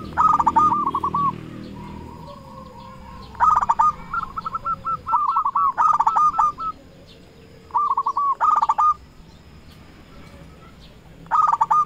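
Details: Local lure zebra dove calling out to rival doves: bursts of fast, bubbling coo runs, some sharp and ringing, others softer, separated by quiet gaps of a second or two.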